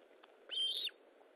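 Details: Osprey at its nest during feeding, 19 July 2012 at 9:43; one loud, clear whistled note, slightly arched and lasting under half a second, over a steady background hiss.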